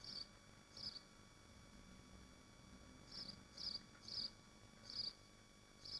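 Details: Recorded on a nest livestream of swifts in Machynlleth, Dyfi Biosphere: shrill buzzy screams in short bursts, some doubled, about seven across six seconds, with faint hum beneath.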